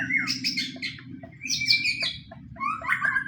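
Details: Loud white-rumped shama song of a fighting bird, used as a lure so other shamas join in: dense bursts of rich varied whistles and harsh notes, with short pauses between phrases and a steady low background drone.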